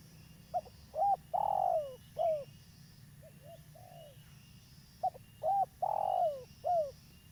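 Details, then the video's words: Spotted dove, a local bird valued as a lively caller for luring wild doves: two loud four-part cooing phrases, with short notes, a looped coo, a long descending coo and a falling end note, and soft coos between them. "Tekukur lokal gacor , cocok untuk pancingan"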